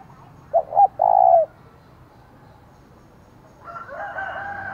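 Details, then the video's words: Decoy spotted dove, 'giọng thổ' voice, giving one provoking phrase meant to draw rivals: two quick low coos and a long coo, followed by silence and then a rooster crowing. "Chim Cu Mồi, tiếng thúc vang cả xóm mở lên kích bổi hiệu quả"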